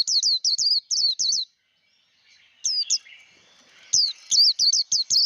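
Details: White-eye in líu fighting style, used to rouse and train juvenile birds: bursts of quick, piercing whistled notes, each a sharp upward flick, six at first, a pause with two notes, then a final rapid series.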